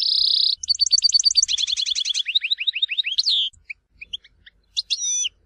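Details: Tizi Ouzou style goldfinch song, Algeria: opens with a steady buzzy trill, then a fast series of repeated notes sliding downward, a pause with scattered chirps, and a final sweeping slur.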